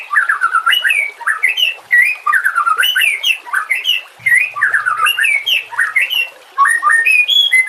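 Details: White-rumped shama, a master recording for training other songbirds, singing a varied, rich run of whistled rising and falling phrases between about 1 and 4k, repeated rapidly with brief high ticks above; no other clear sounds.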